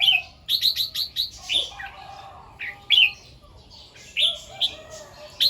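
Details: Morning song of a red-whiskered bulbul, the doubled 2-3 'rik' style: quick runs of sharp, chirpy whistled notes, then separate slurred phrases every second or so, with a quiet low background.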